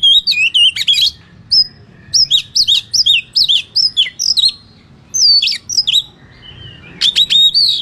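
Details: Kacer (Oriental magpie-robin) singing a fierce 'ngeplong tarung' fighting song meant to agitate rival birds: repeated clear whistled phrases with swooping, downslurred notes, bursts of scratchy clicks, brief pause midway, then renewed loud phrases.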